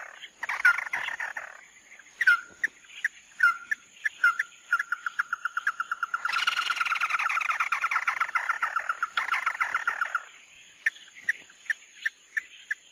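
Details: Mắt Đỏ bird song for luring: downslurred whistles and clipped notes speeding into a fast pulsed trill, a long loud chattering stretch, then spaced short notes again; constant high-pitched hum in the background.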